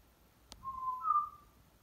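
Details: Household African grey parrot, male, chattering while alone: a brief click followed by a clear whistled note that steps up to a slightly higher held tone, lasting about one second, in a quiet indoor room.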